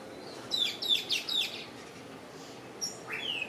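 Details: Mockingbird chick begging while a parent feeds it: four quick, high, sharp chirps in a tight burst, then a pause and a thin rising note followed by a higher downslurred whistle, over a low steady background hiss.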